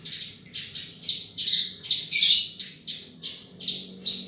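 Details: Australasian bushlark, a rice-field bird, giving loud, harsh, squawky high notes repeated about every half second, with a denser buzzy flurry in the middle and a faint low hum throughout.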